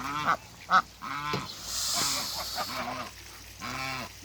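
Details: African geese couple meeting on a farm; quick irregular honks, two short sharp ones, then softer arched calls, with a brief hiss of noise in the middle and a final drawn-out honk.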